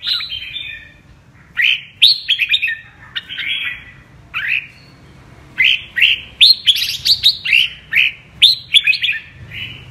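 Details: Apricot-coloured (mơ) red-whiskered bulbul giving double-voice (giọng kép) song: bursts of rapid rising whistles in dense clusters, separated by brief quiet gaps, with a final long run of bright notes.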